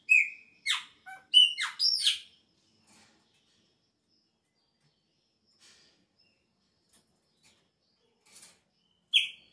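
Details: Chopi blackbird at the season's start, altering its song: a two-second burst of varied whistles and harsh slurred notes, then long near-silence with faint ticks, ending on one clear whistle.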